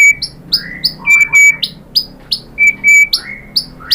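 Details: White-rumped shama singing as a lure to make other shamas answer: quick clear chirps and short sweeping whistles repeated in a lively, uneven stream, with a few sustained whistled tones.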